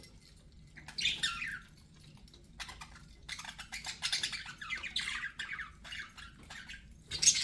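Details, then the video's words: Fairly quiet budgie chatter from a pet bird: a rising squeaky chirp, then a long stretch of buzzy, rapid twittering, ending with a sharper note. "BUDGIE SOUNDS"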